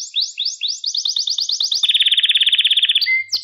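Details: Singing canary, a recording for teaching young canaries: sweeping high chirps speeding into a rapid trill, then a loud pulsed rattling roll at mid pitch and a short clear whistle at the end.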